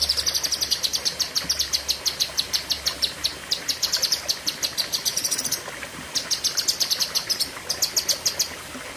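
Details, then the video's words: Long, sharp burst of Cucak kinoi song: fast strings of piercing high chirps, repeated steadily over many seconds with short breaks between runs. "Tembakan Ngeri Cucak Kinoi (Pedes Panjang)"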